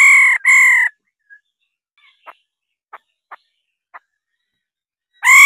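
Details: A female laughingthrush calls with two harsh, buzzy rolling bursts, then quiet short clicks, and a further loud nasal burst begins at the end.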